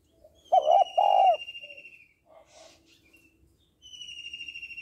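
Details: Female spotted dove calling to stimulate males: two loud hollow coos and a soft trailing note, with a thin, steady high whistled tone running behind.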